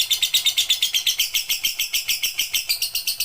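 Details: Lovebird singing sustained 'pigter' chatter for evening tutoring: harsh, buzzy, high-pitched pulses follow one another without a break, each slightly drawn out.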